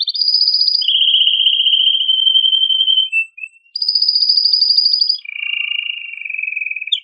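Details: Excited, powerful song of a male canary, sung to rouse canaries of both sexes into mating: long even rolls shifting between high and middle pitch, with a brief break before another high tour and a falling low trill.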